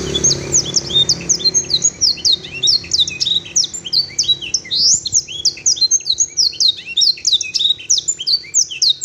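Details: Canary (Serinus canaria) tutored with blackthroat and serin songs, singing a long, unbroken stream of high, rapid chirps, trills and buzzy notes with borrowed phrases, clear-voiced, over a faint low hum.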